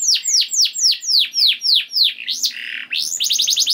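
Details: Canary song played to make other canaries sing: about ten evenly spaced, downward-slurred whistles, a warbled twist, then a quick run of short rising notes.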